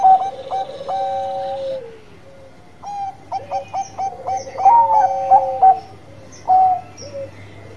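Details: Zebra dove of the Bangkok type singing persistently: repeated phrases of rapid stuttering coos, each ending in a long, even, slowly falling note, with brief pauses between phrases.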